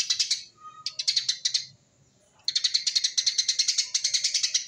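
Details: Eurasian tree sparrow in 'tembakan rapet' style, a dense rapid song used to draw in wild sparrows: loud, fast strings of high metallic chirps, broken by a near-silent gap, then a long even volley of chirps.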